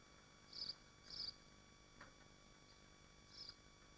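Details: Swifts nesting in Machynlleth in the Dyfi Biosphere give brief piercing high screeches, two close together and then one more after a pause, against a constant background hum.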